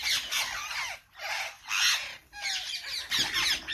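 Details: Parrots giving harsh, raspy squawks in bursts of about half a second, separated by brief quiet gaps, with a thin whistled note in the middle.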